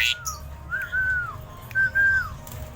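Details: Tame Asian pied starling singing actively. Clear, pure whistled notes, some slurred and arching, others held flat, given in two short phrases with a brief sharp note at the start and low background rumble.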